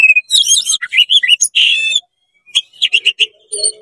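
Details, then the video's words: Oriental magpie-robin song to provoke other magpie-robins: rapid burst of varied whistles, trills and harsh notes, a short pause, then sharp clipped chips and whistles. "CEPAT GACOR BUKA EKOR DONGKRAK EMOSI KACER KONSLET BIKIN KACER LAIN PANAS"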